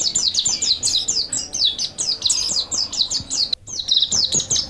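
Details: Mountain white-eye (pleci montanus) master song for training, a fast continuous stream of high, sharp twittering notes with quick rising and falling slurs, briefly cut off near the end before resuming.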